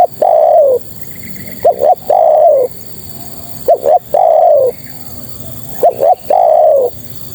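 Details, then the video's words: Calling female spotted dove summoning males, repeated phrases of two brisk coos and one long, falling coo about every two seconds, loud and close over soft background hiss. "Suara Terkukur Betina Memanggil Jantan"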